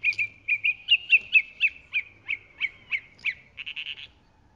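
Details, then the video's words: Chalk-browed mockingbird repeating a clear chirped note with a sharp upward flick roughly three times a second, ending in a quick stuttering burst of short notes. "Calandria Grande Canto - Calandria Grande - Chalk-browed Mockingbird Bird Song - Mimus Saturninus"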